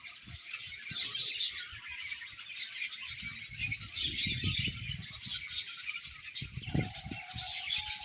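Budgerigars chatter nonstop in dense, high, scratchy chirps and warbles, with soft low thumps and a brief steady tone near the end.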